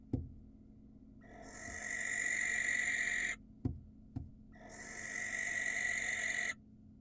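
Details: Wild barn owl at an Israeli cam, screeching to attract a female: two sustained rasping screeches of about two seconds each, with sharp knocks before and between them.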